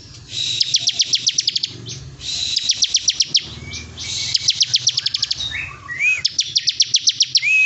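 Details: Bar-winged prinia giving 'bren' style song for bird-training tutoring: rapid runs of piercing high clicks in bursts over a buzzy background hiss, with a few lower rising whistles from another bird near the end.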